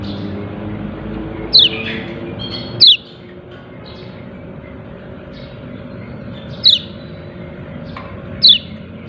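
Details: A yellow-breasted white-eye calls "ciak ciak" in four piercing, quickly descending chips, two close together early and two later, above a low droning background.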